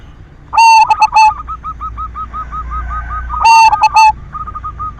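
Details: Lure song of a silver zebra dove, meant to provoke other doves into singing: two loud, burry, harmonic coo phrases about three seconds apart, with a long, soft string of rapid, even cooing notes between them.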